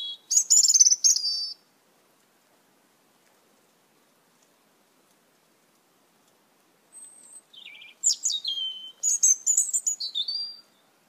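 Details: Red-eyed Asian glossy starling from a large group raiding papaya plants in a yard: a short loud burst of shrill metallic chirps, a long quiet pause, then a rapid series of high squeaks and downward-slurred whistles.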